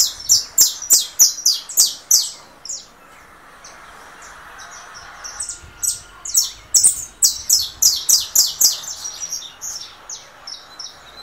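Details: A russo-type saffron finch fresh from molt competes with phone playback of a canary: fast rhythmic volleys of sharp high chirps, several per second, a quieter pause mid-way, then another vigorous run.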